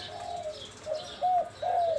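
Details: Spotted dove singing in the Mongkhon Liu Tan song style: a run of soft, mellow coos, the last two louder and slightly arched, over a light steady background hum.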